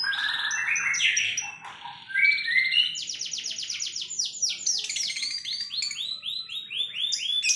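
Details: Canary delivering 'tembakan', a sharp burst song: opening mixed chatter, then a long fast rattling trill of swept notes, followed by rapid descending chirps repeated several times a second.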